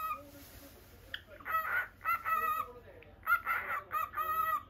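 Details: Caged normal lutino cockatiel at home: a quiet first second, then a string of bright, buzzy-edged harmonic notes with flat, sustained pitch, broken by short pauses.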